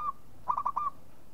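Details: Local zebra dove uttering a compact burst of four quick cooing notes, the final one drawn out into a short level tail, preceded by a single faint note.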